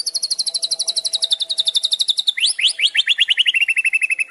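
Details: 'Murai batu trotol' white-rumped shama, a spotted form, in the rapid crackling 'kretekan' style used to provoke rival shamas: a long, fast, even trill of high notes, then upswept notes falling into a lower rattling series.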